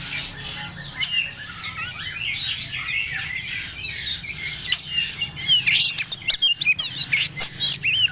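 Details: Medan-type Oriental magpie-robin in breeding condition gives harsher, scratchy chattering notes over a steady background hiss, growing louder and more clipped toward the end with sharp ticks.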